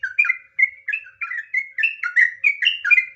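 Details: Sooty-headed bulbul in fiery, emotional ngropel song, the nggaruda style: quick warbled whistles tumbling up and down, about four notes a second, with a brief pause near the start.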